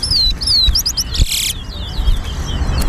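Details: Seed finch singing race at Harbour Bridge, Guyana: bright, swooping whistled notes in fast runs, then a brief burst of broadband noise, with music playing underneath.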